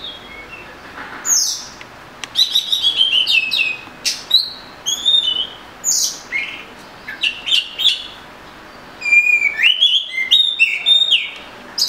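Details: Oriental magpie-robin in full song, a long varied run of clear whistles, sharp rising and falling notes and short buzzy phrases, delivered in rapid bursts with brief gaps, no other sounds.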